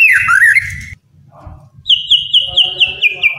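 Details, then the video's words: White-rumped shama song, played to coax lazy captive shamas into singing: a bright whistled phrase dipping then holding steady, a short pause, then a brisk run of repeated clear notes over a low rumbling background. "MURAI MALES BUNYI..JADI GACOR PLONG"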